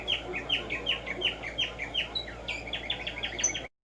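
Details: Tumba Yegua, the black-striped sparrow, singing in nature in the morning: a long unbroken string of around twenty clear, downslurred whistled notes, steady then slightly faster, stopping abruptly; soft background hiss throughout.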